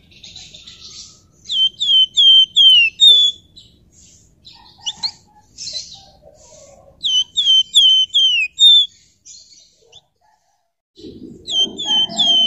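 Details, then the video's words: Flamboyan in rapid ngebren song, delivering two bursts of loud descending slurred whistles, about five notes each, separated by scattered soft chirps, ending with a short upward note and some low rustling. "Burung Flamboyan Gacor Ngebren Rapat Nyerecet Nyiul"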